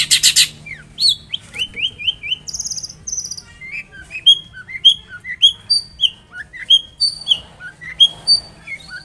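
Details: Long-tailed shrike song used as a lure to make other shrikes answer at once: varied sharp whistled and slurred notes, many rising or falling, delivered in an irregular string of about one per half-second, with a short buzzy burst near the start.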